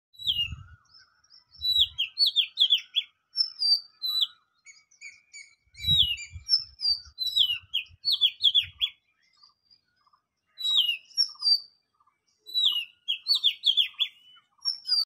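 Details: Morning birdsong: dense overlapping high chirps, trills and quick down-slurred whistles from several birds, pausing briefly then resuming, with a few soft low thumps early on.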